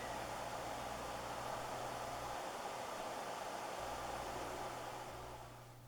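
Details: Broad steady hiss like a hair dryer or white noise, with a low hum that drops out midway, fading near the end, and no animal call heard.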